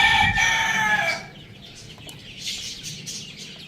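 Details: Pet rooster crowing loudly: one drawn-out, harmonic crow lasting about a second, strong at the start, then fading into steady high chirping and twittering of small caged birds.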